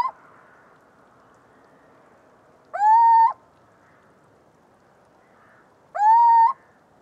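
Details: Little owl singing: two drawn-out, upward-sliding whistled hoots, spaced about three seconds apart, against soft background noise.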